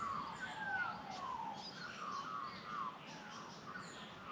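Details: Morning song of Australian magpies greeting the day in sunlit Australian bush; mellow fluted whistles sliding downward, carolling phrases repeated in quick succession, softer background chirping.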